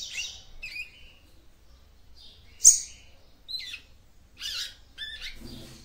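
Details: Capped seedeater female singing to arouse the male: spaced high chips, short buzzy trills and a sharp loud note, with a brief low rustle at the end.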